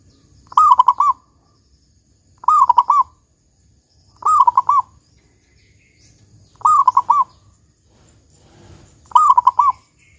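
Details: Zebra dove, local perkutut, giving its big 'kung' song as a lure for other doves: five rolling phrases, each a rapid run of four or five soft coos, repeated about every two seconds with silence between.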